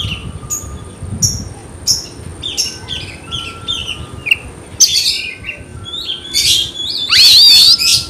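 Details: Oriental magpie-robin song meant to stir rivals to fight: a series of short clipped notes about every half second, then louder harsh bursts and a wavering high whistle, with a faint background hum.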